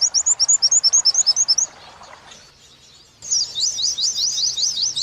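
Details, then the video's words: Oriental white-eye training song in the wit-wit sambung kunti style. Brisk repeated wit chips give way to a short, quieter lull, then a loud, high, jumbled twitter of fast zigzag notes is heard after an abrupt splice. "Masteran pleci wit~wit sambung kunti"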